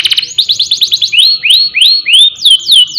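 A canary opens with a fast, high rolling trill, then slows into loud rising whistled sweeps that turn into falling slurs, about one every half second.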